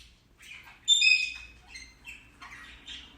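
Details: Indian ringneck parakeet kept as a pet, talking: one loud ringing nasal phrase followed by quieter mumbled, chattered syllables.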